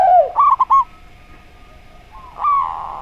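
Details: Zebra dove singing in the slow style, heard alongside a spotted dove: a rounded low coo, then a quick run of short clipped notes, and after a pause another drawn-out coo, over a faint steady hum.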